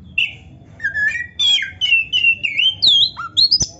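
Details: Oriental magpie-robin (kacer) in full fill-in song: a sequence of clear whistled phrases climbing gradually in pitch, ending in bright rising slurs and a sharp click-like note.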